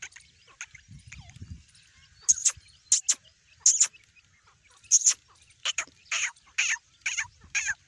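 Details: Grey francolin chicks calling with a female: thin, very high peeping notes, single or doubled, given every half second or so in a loose series, with soft low background noise between peeps.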